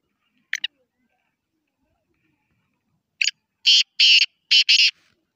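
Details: Black francolin of the Sindhi strain, praised for its beautiful, lively voice: a brief harsh note, a pause, then a loud grating phrase of three to four rasping bursts in quick succession.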